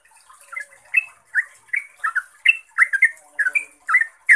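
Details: Yellow-vented bulbul singing in the energetic 'ropelan' style meant to provoke other bulbuls into replying; a rapid run of about a dozen rich, gurgling chirps, some paired, spaced roughly every third of a second, with a thin high hiss behind.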